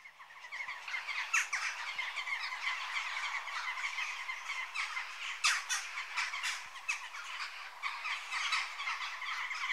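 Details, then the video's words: A flock of Western jackdaws keeps up a dense, overlapping chatter of sharp, squeaky 'tchack' notes, with no pause over the whole stretch. "Jackdaw Bird Call"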